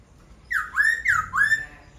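A laughingthrush gives two loud, rich, slightly harsh whistled phrases, each dipping then sliding back up, about half a second apart.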